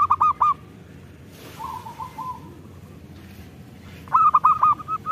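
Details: Local zebra dove singing briskly, used as a lure for birds slow to sing; two bursts of quick, stuttering cooing notes, each a fast run of short hooted syllables, separated by a quiet pause.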